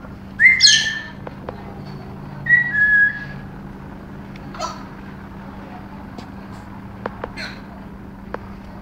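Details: A pet female galah, in a rare fit of going crazy among other birds, gives two harsh, screechy squawks about two seconds apart over a steady low indoor hum with faint clicks.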